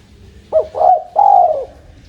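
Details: Tame spotted dove giving a short three-part cooing phrase: a brief clipped coo, a rounder rolling coo, then a longer drawn-out coo that slowly falls away, all low and mellow, against a quiet background.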